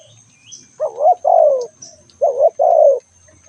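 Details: Calling spotted dove: two low two-part coo phrases, a quick wavering note then a longer sliding-down coo, over a faint murmur, light bird chirps and a steady high hum.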